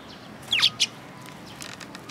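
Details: Young sparrows imitating, at a Tenmangu shrine in Japan on 5 June 2022: two short, high chirps in quick succession, the first a little longer, against a steady hiss of background noise.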